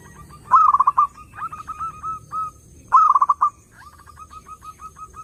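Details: Zebra dove song used as a lure for other doves: two loud bursts of rapid, throbbing coo notes about two and a half seconds apart, each trailing into a run of softer, evenly spaced short coos.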